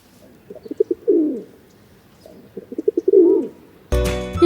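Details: Two low, soft rock dove (common pigeon) coos recorded in Sri Lanka, each a few quick throaty pulses swelling into a longer rolling note; music starts at the end.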